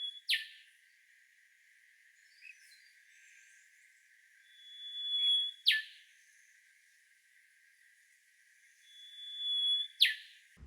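Rufous Whistler giving a high, drawn-out whistle that ends in a sharp whip-like crack, repeated about every four to five seconds against a quiet background.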